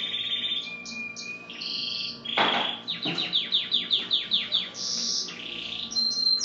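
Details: Canary song, Belgian and native 'da terra' birds: short high whistled notes and a buzzy tone, a burst of noise, then a run of about ten quick descending slurred notes and more high tones.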